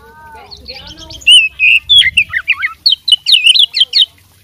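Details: A fighting oriental magpie-robin sings out its full set of mimicked phrases: after a soft start, loud, clear whistles follow in quick separate bursts, each note bending up or down, about five per second.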